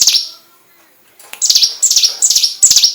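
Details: Hill prinia song meant for training magpie-robins: one high buzzy phrase, a short silence, then four quick chattering, downward-sweeping notes in rapid succession.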